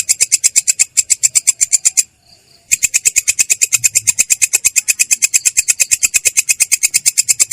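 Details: Long-tailed shrike in full ngerol, its clear, rough rolling song: a rapid stream of scratchy high notes, about eight per second, broken once by a half-second pause before resuming.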